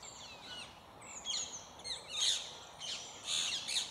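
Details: Rose-ringed parakeet feeding a young bird in the branches while other parakeets call nearby; harsh, buzzy screeches in short bursts roughly every second, with fainter thin chirps of other birds between them.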